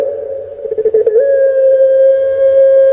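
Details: A kept Barbary dove (puter pelung, Streptopelia risoria) in Indonesia gives a low, mellow coo that wavers briefly, then draws out into one long, steady, hollow note.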